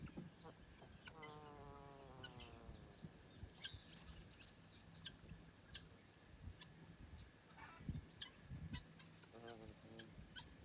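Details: A free-range gosling in Australia makes soft drawn-out descending trills while sleeping, then stays quiet for several seconds before a final short wavering trill, with faint rustling and a low background hum throughout.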